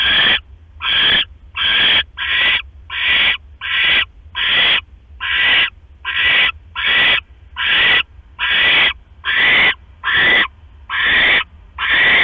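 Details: Nesting owls late on 5 October 2015, the male delivering a rat, the female finishing it quickly and settling on her eggs; a long regular series of about eighteen rasping hiss-screeches, a little over one per second.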